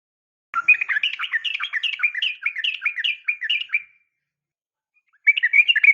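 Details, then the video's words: Female sooty-headed bulbul calling to a male in a sharp, rapid 'tarung ropel' style: a dense, bubbly run of short chirping notes lasting over three seconds, then a pause before another fast chattering burst begins. "trucukan gacor SUARA TAJAM TARUNG ROPEL"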